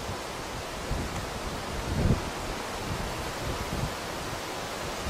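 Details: Steady wind and rustling outdoor noise with a brief low thump, and no animal calls.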